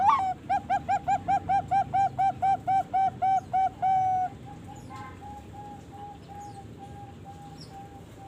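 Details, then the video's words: Young Bangkok-type zebra dove, 3.5 months old, farm-bred, sings a fast run of about thirteen short arched cooing notes, then one long held note followed by fainter steady tones, with low background hum. "SUARA PIYIK PERKUTUT BAKGKOK USIA 3,5 BULAN"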